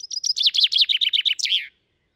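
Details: Common chaffinch singing in Britain, recorded with a parabolic stereo microphone; a bright, fast trill of repeated notes that descends in pitch and ends in a loud flourish, then silence.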